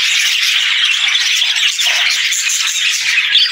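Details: Happy budgerigars greet the day with morning chatter, a dense, unbroken wash of high chirps and warbles from many birds at once, steady in loudness throughout.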